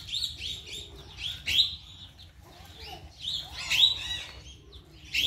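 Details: Decoy blossom-headed parakeets kept by Ede people to lure and trap birds, uttering bursts of sharp, grating screeches, some doubled or overlapping, clustered around the first and fourth seconds with quieter chatter between.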